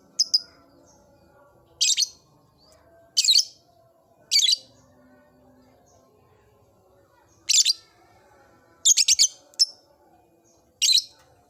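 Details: Caged lovebird in an old cage, beginning its ngekek chattering song: sharp, shrill high chirps spaced one to three seconds apart, some doubled or tripled in quick bursts, over a quiet room background.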